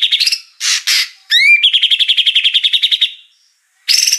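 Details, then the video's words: Oriental magpie-robin in a 2021 training recording: a quick trill, two harsh rasps, rising whistles, a long rattling run of clipped high notes, then a closing burst after a pause. "MASTERAN MATERI MEWAH MURAI JUARA"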